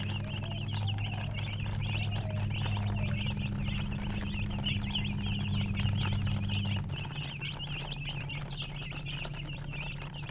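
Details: Constant chirping from a group of colored baby chickens: quick high peeps tumbling over one another, over a low droning hum that drops away after about seven seconds.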